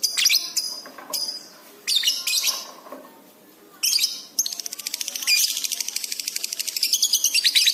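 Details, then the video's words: Highly excited lovebird singing for pet-bird training: irregular loud, scratchy chirps and a pause, then a long, fast, rattling run of high notes that grows steadily stronger. "love bird gacor cepat respon emosi memuncak"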